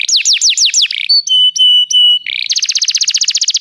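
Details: Canary singing a training song for other canaries: four slurred descending notes, three steady pure whistles, a brief buzz, then a fast, even trill of rapidly repeated high notes.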